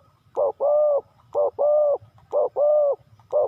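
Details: Spotted dove calling in the Thai three-kuk hanging style: deep, rough two-part coos, a short burst and then a longer even note, repeated about once a second over a faint low rumble.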